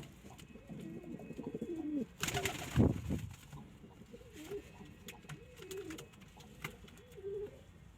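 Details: Domestic pigeons, local breed birds, giving soft low rolling coos that rise and fall in repeated phrases, with a sudden loud rustling burst midway, likely wing flapping or handling.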